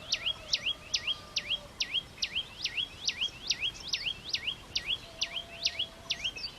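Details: Red-headed flowerpecker song: rapid, even string of V-shaped high notes, each a quick downward slide and upturn, repeated roughly twice a second, with a faint low steady hum beneath.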